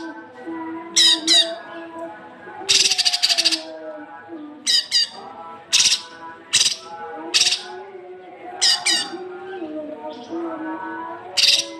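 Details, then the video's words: Cucak kinoi masteran for young birds: many short, harsh, buzzy bursts, some doubled, come every second or so, with one longer grating rattle, over low continuous tones. "masteran cucak kinoi untuk pancingan burung bahan"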